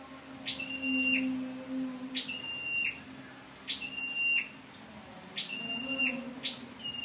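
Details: Lure-bird Scarlet-backed flowerpecker recorded 12/10/14, giving five phrases about every 1.5 seconds. Each opens with a sharp upward flick, holds a thin flat whistle and ends with a short downward slur. A low hum runs underneath.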